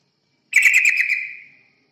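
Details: Yellow-vented bulbul played as a lure to attract other birds: a single bubbly, chattering phrase of rapid, buzzy notes lasting about a second, ending in a fading trill, against a quiet background.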